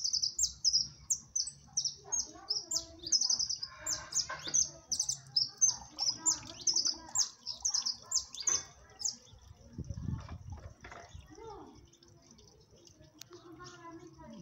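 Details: Jilguero amarillo (siskin), cold weather, 'máquina' style song: a fast, continuous chain of thin, high chirps and trills for about nine seconds, then fading to scattered faint notes over quiet background noise.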